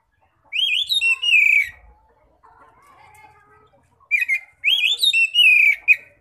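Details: Ngeplong-style Oriental magpie-robin song meant to attract other magpie-robins: two loud whistled phrases of sweeping, slurred notes separated by a quieter warbling passage.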